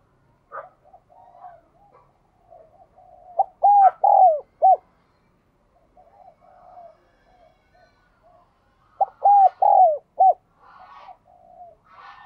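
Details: Spotted dove singing in the ringing giọng đồng kim style, also called đồng chuông. Two loud four-note phrases of low, curved coos come about five seconds apart, with soft murmured notes and short chirps in between.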